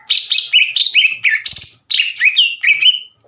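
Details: Greater green leafbird singing hard and loud, challenging another to fight: rapid chattered whistles and harsh buzzy notes in quick clusters, ending with a rising whistled flourish.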